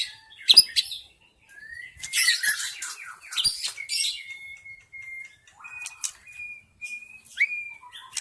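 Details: White-rumped shama from the wild forest, played as a lure for shamas: a loud chattering flurry, then a run of clear, level whistled notes, each held briefly with short gaps between.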